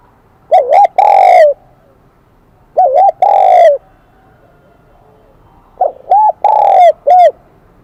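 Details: Three cooing phrases from a wild-caught spotted dove with the high 'kim đồng' voice style, spaced about every two to three seconds, each a rolling double coo and a drawn-out descending note, the last ending with an extra short coo. The background is quiet.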